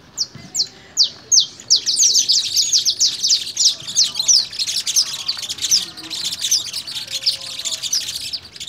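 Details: Canary in song training (fogueo), Pelaya, Cesar: a few separated descending notes build into a dense, rolling, high-pitched warble of fast chirps and trills that continues to the end.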